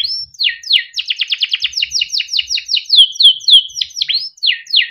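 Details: Yellow Timbrado canary singing a melodic song: sweeping downslurred whistles, a fast burst of repeated chips, then rolling warbled notes and falling slurs, clean and loud with no other sounds.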